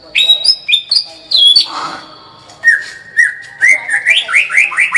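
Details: White-rumped shama song with clear whistles: paired upward notes repeated three times, a soft low swirl, then a run of quick upslurred whistles climbing in series.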